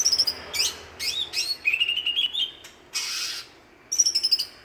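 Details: Village champion Greater green leafbird from Banyuwangi, East Java, sings rapid high trills, then a lower slurred whistle wavering over a second, a burst of harsh rasp and a closing stuttered high trill.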